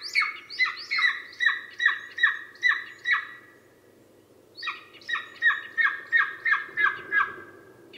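Golden eagle giving two bursts of eight or nine sharp, yelping notes, about three a second, with a faint low hum behind.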